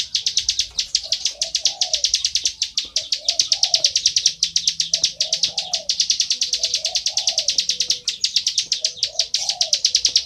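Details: Bar-winged prinia in full, nonstop song: rapid high ticking notes pulse evenly throughout, while a soft, low cooing phrase recurs about every one and a half seconds behind it.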